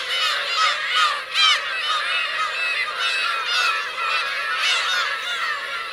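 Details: Black-tailed gull families, adults and chicks, on Teuri Island's Kurosaki coast in Hokkaido, Japan, 17 June 2021; a crowded colony chorus of wavering, cat-like mews, with two louder cries near the first second.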